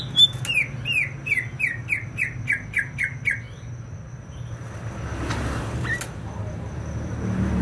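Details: Greater green leafbird from Banyuwangi, East Java: a quick run of about ten downward-slurred whistled notes in the first three seconds, then only low engine rumble and a brief sharp sound.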